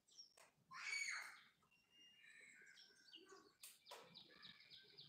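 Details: Bulbul chick on the ground after a fall, one loud harsh burst followed by a jumble of thin chirps and short whistled notes, some sharp clicks near the end.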